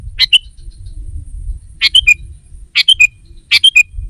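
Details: Sooty-headed bulbul calling to attract wild rivals: brief phrases of two or three bright, slurred chirps, repeated roughly every second over a soft low background hum.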